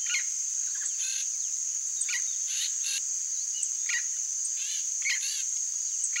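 Yellow-faced Parrot giving harsh, grating squawks in short bursts about once a second, over a steady high insect drone.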